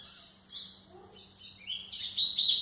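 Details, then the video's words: White-throated seedeater singing to tutor young birds, a short run of high chirps building into louder, sweet, slurred notes at the end. "canto de golinha para foquear pássaros"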